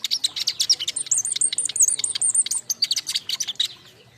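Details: Group of king konin singing, used as lure and master song for young birds: energetic high chirps overlaid by a steady chain of repeated arched whistles, then fading chatter toward the end.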